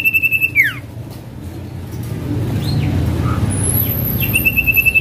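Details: Male common iora, singing actively, offered as a lure for silent birds: a steady pulsed whistle near the start and again at the end, faint sweeping notes between, over a constant low rumble like traffic.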